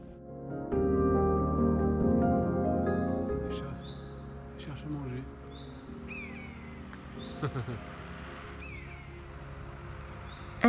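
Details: Common buzzard (Buteo buteo), alarm call: agitated by people nearby.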